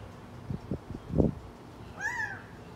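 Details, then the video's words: A walking Gambel's quail in Scottsdale, Arizona, gives a single nasal, slightly arched note near the end, after a few low thumps and soft background rumble. "Cute Gambel's Quail's walk & call"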